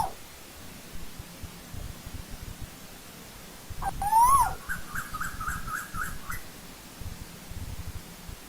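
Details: Single upward-sliding whistle from an Asian koel in old-growth forest, ending in a quick drop, followed by a quieter series of short higher notes from another bird against a faint hiss.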